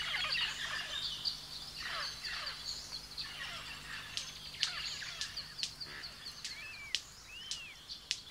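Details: Male White-collared Manakin courting a female at Eco Centro Danaus, Costa Rica: sharp dry snaps, several in quick succession in the second half, amid arched whistled notes and a busy chorus of other birds and insects.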